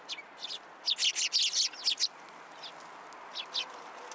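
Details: Sparrows flock in to be fed at Tenmangu shrine, 27 December 2022; a burst of loud, closely packed high chirps lasting about a second, followed by a few quieter isolated notes.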